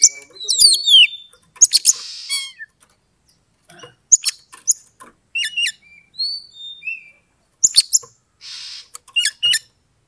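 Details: Oriental magpie-robin (kacer) bait song, meant to slowly raise a rival's aggression and provoke it to fight and fluff up. Varied high whistles, quick rising and falling slurred notes and rapid trills, with short harsh rasps between phrases.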